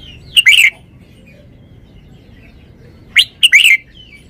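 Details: Red-whiskered bulbul, a caged show bird, repeats the same crisp three-note whistled phrase twice about three seconds apart, each ending in a bubbly downslurred flourish, with quiet pauses between.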